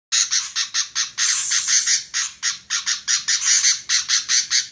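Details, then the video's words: Female sooty-headed bulbul giving a fast run of harsh, squawky chattering notes, about two per second, with a short drawn-out rising sweep near the start; no other sounds. "SUARA KUTILANG Betina"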